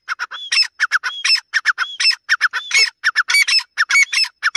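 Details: Grey francolin from a compilation comparing Dakni and Irani teetar voices: loud harsh squawking notes in quick bursts, each phrase topped by a clear rising whistle, repeated steadily for the whole stretch.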